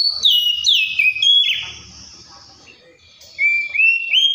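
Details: Oriental magpie-robin with falling whistled slurs, a short quiet gap, then rising stepped whistles.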